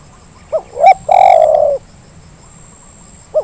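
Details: Spotted dove lure call, used to get reluctant doves to call: a short rising note, a louder hooked note, then a long drawn-out coo that sinks slightly at the end, followed by silence and another brief opening note. A steady high hiss runs underneath.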